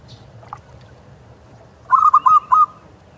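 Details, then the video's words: Zebra dove, a local wild bird on the seashore, giving one quick phrase of four bubbling, slightly rolling coo notes near the end, after near silence with a soft low background hum. "suara perkutut lokal alam"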